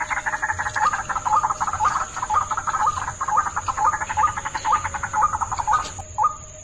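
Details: White-breasted waterhen lure call: croaking, pulsed notes near the same pitch, repeated about twice a second in an uneven run, with a steady high electronic whine and a lower hum throughout.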